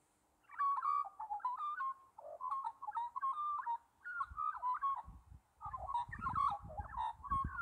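Australian magpie carolling in rich, flute-like warbles around mid pitch, phrases tumbling together almost without pause; low rumbling noise joins in toward the end.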